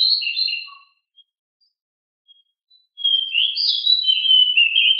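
A Pied Bushchat sings a quick, high, whistled warble of rolling phrases that break off, with a short pause before a louder run of sweet notes.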